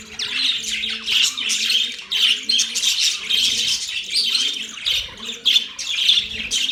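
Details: Budgies chatter continuously in a busy, scratchy warble of rapid chirps and squeaks, with a faint low wavering hum running underneath.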